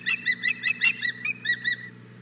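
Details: Female osprey at a nest at Hog Island Boathouse, morning of 4 May 2017, begging for the fish the male brought: about nine quick whistled chirps in under two seconds, then fading, over a low steady hum.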